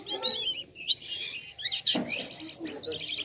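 A starling chatters nonstop in bright, squeaky whistles and trills, high and varied, like a toy. A brief low knock sounds midway.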